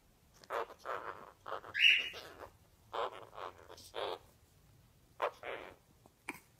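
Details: A male Hahn's macaw (red-shouldered macaw) exploring a "cave" he found chatters in short, speech-like bursts of mimicked words, broken by one sharp high squawk, in an otherwise quiet room.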